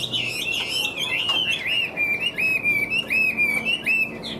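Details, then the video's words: Chinese hwamei in a cage, big-bodied with yellow legs and bill, tail-flicking as it sings: a steady stream of clear looping whistled notes, each slurred up and down, repeated in quick succession. "Chim Họa Mi Hót Vẩy Đuôi Khướu"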